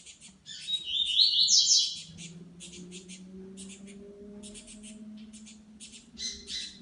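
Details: Saffron finch singing in the wild: a loud, bright warbled phrase, then quick groups of high, clipped chirps repeated steadily, over a low steady hum in the background.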